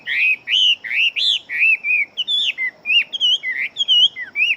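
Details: A fighting Chinese hwamei that sings fast delivers a lively, varied series of full whistled phrases. Upslurs and downslurs alternate in a quick, unbroken flow.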